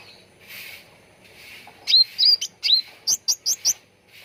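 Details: Ruby-throated bulbul (cucak ranting) lure recording for training birds to sing: a quick phrase of about eight clear, upslurred whistled notes, each loud and short, following a quiet start with faint background chirps.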